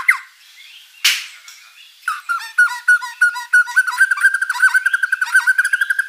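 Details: Lively white-rumped shama singing a song packed with mimicked fill-in material, used as a lure to provoke other birds into replying: after a brief pause, a fast run of evenly repeated, ringing whistled notes with buzzy overtones, speeding up toward the end.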